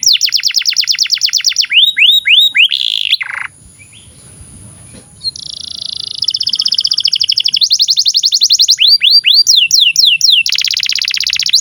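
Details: Canary song used as a master for young canaries: rapid falling whistles and curling notes, a short pause of near silence, then long fast buzzy trills and more swept notes.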